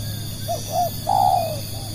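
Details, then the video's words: Single three-part phrase from a spotted dove used to attract other doves: two brief coos followed by a longer, louder mellow coo sliding down at the end; faint humming underneath. "burung tekukur pikat"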